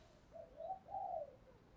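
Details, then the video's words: Spotted dove decoy bird calling to lure wild doves; a short, soft, low hooting coo phrase of three rounded notes, the middle one longest, over quiet background. "Chim Cu Mồi Như con này anh em nào cũng muốn sở hữu, bổi rừng nghe ức chế mà về cội"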